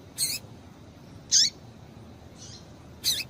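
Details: Female double-collared seedeater giving calls to stimulate males: four separate high chirps over three seconds, each with a quick downward slur, the third faint.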